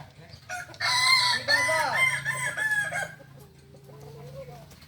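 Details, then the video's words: Kokok Balenggek rooster at a practice crowing contest in Ampang Kualo, Solok city: a loud, harmonic crow of about two seconds broken into several stepped, wavering segments, then a faint, lower drawn-out tone amid low background hum. "latberan ayam kukuak balenggek ampang kualo kota solok"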